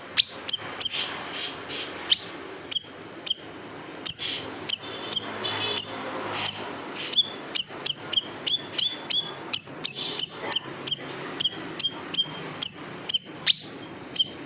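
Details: Siri-siri bird, large form, delivering 'tembakan pedas' shot notes for cage-bird tutoring: a long, dense stream of piercing, high, downslurred chips, some doubled, repeated rapidly for the whole stretch with little pause.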